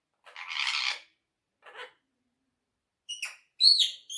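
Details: Talking monk parakeet, called a quaker parrot: a harsh buzzy squawk, a short rasp, then bright whistled chirps that dip and rise near the end.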